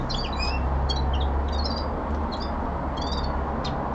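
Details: A home-kept common linnet sings quick, clipped twitters and slurred whistled notes in loose bursts, with short gaps between phrases and steady low room noise throughout.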